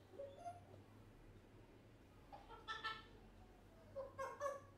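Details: One-year-old African grey parrot talking non-stop; three quiet bursts of harmonic, voice-like syllables, near the start, around the middle and near the end, with a low steady hum beneath.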